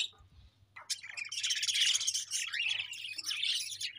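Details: Pet budgies in a steady high warbling chatter of rapid overlapping chirps and squeaks that runs nearly continuously after a quiet opening second.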